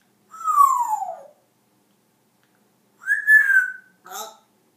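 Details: Captive African grey parrot making funny noises: one long whistle gliding downward, a pause, then a second whistle that rises and holds before a short rough note.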